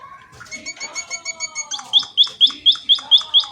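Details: Softer mixed twittering and thin whistles build into a munia's loud, high, down-slurred chips repeated about twice a second.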